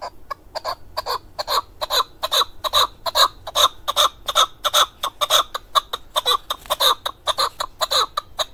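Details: Male keklik, or chukar partridge, kept as a hunting bird in Darvoz, Tajikistan, recorded in 2020, giving loud rhythmic chuk-chuk-chuk notes, about two to three per second, bright and clucking, steady for over eight seconds.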